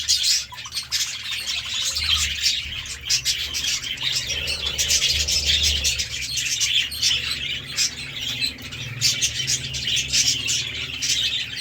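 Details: Pet budgerigars at a meal of seeds and vegetables keep up a dense, unbroken warble of shrill chirps and scratchy twitters, with a faint low hum underneath.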